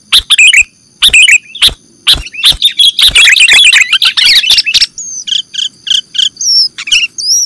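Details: Sooty-headed bulbul (kutilang) lure sound for catching birds: loud chattering chirp bursts building to a busy twitter, then lighter spaced chirps and thin whistled slurs at the end.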